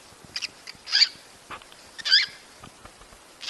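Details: Mating calls of a cockatiel for prompting breeding: scratchy, harsh calls spaced about a second apart, the strongest two loud and buzzy, with soft clicks between them.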